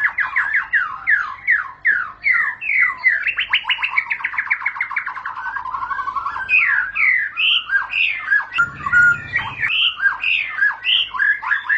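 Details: White-rumped shama in full song, said to make shamas sing straight away: varied loud whistled phrases, steep downslurred notes and rapid buzzy runs, rising and falling in pitch without pause, with a short low thump near the ninth second.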